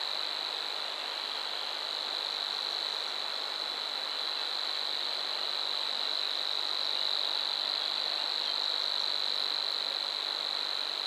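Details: Savi's warbler singing at Bolimów reservoir, a continuous unbroken high buzzing reel holding one steady pitch for the whole stretch, with broad hiss beneath.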